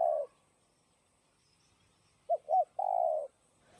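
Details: Spotted dove in 'giọng đồng' style, used to rouse caged doves. The end of a croo is followed by a quiet pause, then a full phrase of two short coos and a long, even croo.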